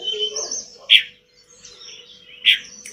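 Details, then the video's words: Pied bush chat song used as a tutor recording for pet birds: two loud harsh chip notes about a second and a half apart, with soft high whistles and twitters between them. "Kicauan mewah TLEDEKAN GUNUNG gacor dor,Masteran terbaik buat tledekanmu"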